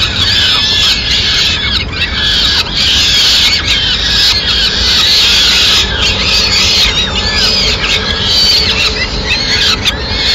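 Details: Peregrine falcons in Madrid on 29 April 2016, the mother bringing food to her chicks: dense, continuous high squealing, overlapping wailing notes that rise and fall, with brief gaps, over a steady low rumble.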